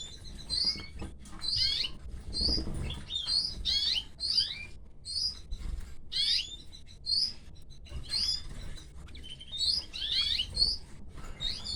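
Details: Canary nestlings fed by the female canary, producing bursts of high, squeaky chirps roughly every second or two, each burst a tangle of short rising and falling notes, with a faint background hum.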